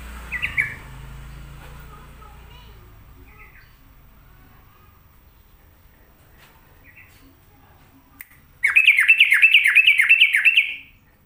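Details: Sooty-headed bulbul singing actively: a few scattered short fluty notes, then a loud, rapid, even run of about eight sharp downslurred notes lasting two seconds, with a faint low hum in the background.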